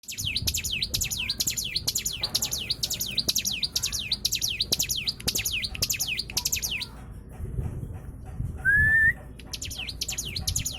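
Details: White-eye song used as a lure to set other birds singing: rapid runs of high, sharp downward-sweeping chirps, several per second, pausing briefly, with a single rising whistle near the end over a low background rumble.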